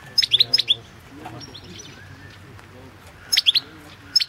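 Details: European goldfinch, entered in the 2016 World Championship in Goldfinch Song held over the Internet; short bursts of bright, tinkling high notes near the start and again near the end, separated by quiet background hiss.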